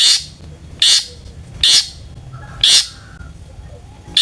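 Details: Long-tailed shrike singing to provoke other shrikes, here in a harsh phase: five loud rasping bursts spaced roughly a second apart, with quiet gaps and a faint background whistle between them.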